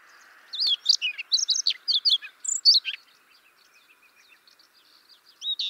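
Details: A Siberian rubythroat, recorded as a trapping lure, sings a fast, varied warble of high scratchy notes and clear whistles, with a faint steady hum underneath.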